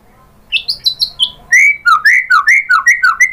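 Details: White-rumped shama lure song to provoke other birds to sing: a few high thin notes, then a lively series of loud, slurred whistles alternating up and down, about three per second.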